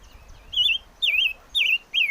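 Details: Four loud warbled whistles from a chim ngũ sắc, each about a quarter second long with a wavy up-and-down contour, repeated roughly every half second.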